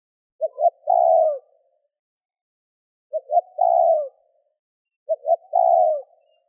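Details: Cooing spotted dove, its calls used to stir up wild birds: three matching phrases roughly every two and a half seconds, each two clipped low notes then a longer falling coo, with clear silence between.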